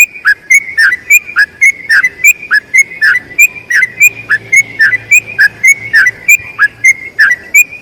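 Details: Long rolling song of a sooty-headed bulbul, used as tutoring for other birds: a steady run of about twenty-six clipped whistled phrases, each a bright high note followed by a falling slur, repeated roughly three times a second with faint low hum.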